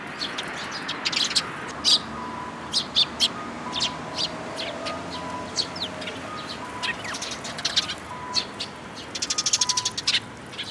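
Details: Sparrow parents with chicks, 19 May 2018: scattered high chirps and twitters over a faint steady tone, ending with a quick rattling series of about eight rapid chirps.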